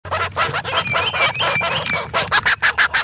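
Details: Chicken chicks feeding: thin high peeps sliding up and down over dense pecking and scratching noise, ending in a run of rapid, regular taps.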